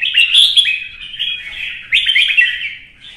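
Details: Red-whiskered bulbul in a provoked singing contest, giving two rapid, loud warbled phrases of bubbling, slurred whistles with a short pause between.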